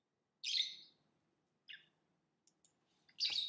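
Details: Lovebird chirping: one harsh, shrill squawk, a short softer chirp, faint clicks, then another loud buzzy chirp at the end.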